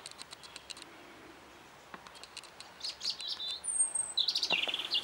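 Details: European robin singing in spring, March 2014: a high, thin phrase of warbled and trilled notes near the end after scattered ticks, including a sharp whistled sweep, over quiet background hiss.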